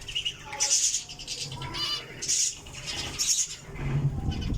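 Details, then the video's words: Java sparrow uttering bright, high clipped notes roughly every second, over a low rumbling background and some rattling. "java sparrow"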